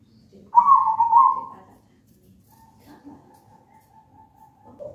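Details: Zebra dove of local wild stock, from a nest in a pisang raja banana plant: one rolling, stuttering coo phrase, then a thin, faint, steady tone and a soft note at the end.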